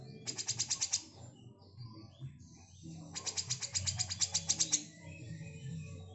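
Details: A female grey-cheeked bulbul gives two bursts of harsh, rapid rattling notes, about eight to ten per second, over a low rumble.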